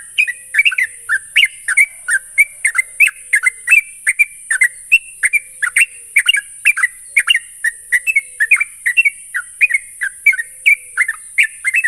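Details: Lure recording of a sooty-headed bulbul meant to get a trainee bird singing fast: a long, lively stream of short gurgling, whistled phrases, rising and falling, repeated roughly twice a second over light background hiss.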